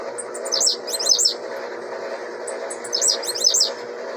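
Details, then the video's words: Juvenile blue-black grassquit, said to sing 26 songs a minute, giving two quick clusters of high, sharp, buzzy descending notes about two seconds apart against constant low background hum. "Tiziu filhote 26 canto por minuto"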